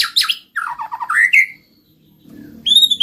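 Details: White-rumped shama giving a short mix of harsh high notes and a quick descending warble, then a pure high whistle after a brief pause, with faint low background hum.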